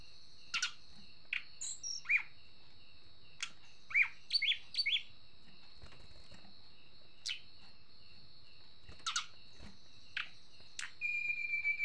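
Hill Blue Flycatcher giving scattered sharp, high chirps and short twittering phrases over a steady high-pitched whine.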